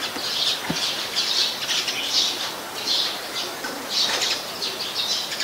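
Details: Eurasian tree sparrows at Ubon Ratchathani, Thailand, 10 May 2020, a very common resident: rapid bursts of high chirping notes in clusters, with a soft thump near the start.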